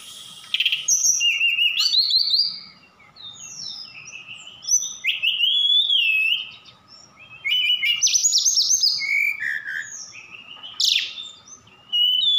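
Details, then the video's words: Javan bush lark from Sukabumi, Indonesia, singing a varied song with mimicked phrases of birds locally called cililin and sikatan londo: rapid high whistles, slurred rising and falling notes and sharp chips in bursts, with a steady faint electrical hum. "Tledekan Gunung Gacor Sukabumi"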